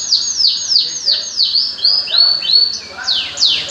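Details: Bird repeating clear, high downslurred whistles about three times a second, then shifting to upslurred notes and a couple of steep descending sweeps.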